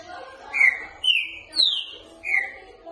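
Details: Green-winged saltator in the "boca mole" song style, a training recording for cage birds: four loud whistled notes about half a second apart, each slurring downward, the third pitched highest.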